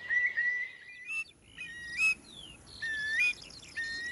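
Eurasian curlew giving mellow whistled calls, each held level then sweeping upward like 'cour-lee', about three in four seconds; thin chirps of other birds behind.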